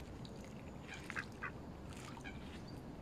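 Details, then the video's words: Ducks at Smith's Pool in Fenton, Stoke on Trent, United Kingdom, where Pekin, crested mallard and mallard ducks were filmed on a mobile phone on 21 November 2021; two short, harsh quacks close together over a steady background hiss. "Pekin Duck, Crested Mallard Duck and Mallards"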